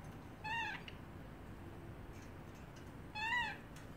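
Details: A pet parrotlet in its cage, imitating a cat, gives two short meows, each a brief rising-falling nasal note about three seconds apart.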